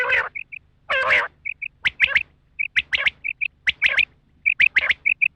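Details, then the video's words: Rain quail, female call for hunting: harsh, broad squawky notes, then paired soft high whistles alternating with sharp chirp clusters. "Batair sound/batair ki awaz/batair cassette /batair hunting"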